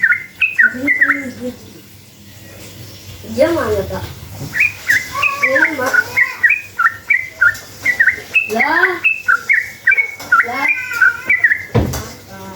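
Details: Rapid, chattering lure song of a sooty-headed bulbul to make other bulbuls reply: repeated bright note pairs, with deeper rising harmonic calls layered in several times and a sharp thud near the end.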